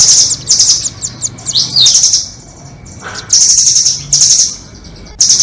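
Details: Doraemon and red-billed nuthatches on a trapping lure: rapid shrill trills and chips crowd the opening, then a silent stretch, a short lower note, and more long buzzy rattles.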